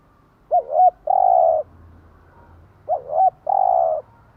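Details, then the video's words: Morning cooing of a spotted dove, played to rouse caged doves into singing: a quick two-note hoot followed by a sustained, throbbing coo, given twice about two and a half seconds apart over quiet background. "Tiếng chim gáy bài bản gáy buổi sáng"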